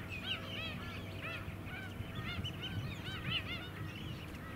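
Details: White-headed Stilts on the Scarborough mudflats, Queensland, winter of 2017: clear arched, barking calls stand out in quick bursts above a softer background chorus and a low engine rumble.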